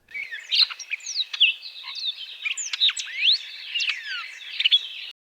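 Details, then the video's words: Hooded Oriole singing in an Arizona desert backyard in spring: a busy jumble of quick whistled slurs, rising and falling, mixed with scratchy chattering notes, running nonstop for about five seconds. "Hooded Orioles sing a mix of short, whistled phrases and chattering notes."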